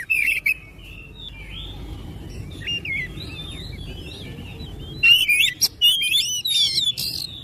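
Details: Oriental magpie-robin song for prompting other magpie-robins to sing. A short chirp opens, then soft wandering whistles, then a louder burst of varied whistled and scratchy notes.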